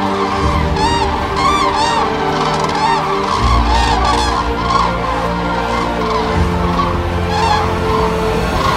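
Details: Flock of common cranes arriving at their roosts in the evening during autumn migration at Zingst on the Baltic coast, tens of thousands stopping over: overlapping loud trumpeting and bugling calls over a steady low hum.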